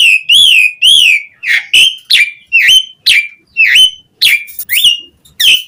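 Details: Asian pied starling in strong song, used to coax other starlings into singing; loud whistled notes, arched then sharply upslurred, repeated roughly twice a second.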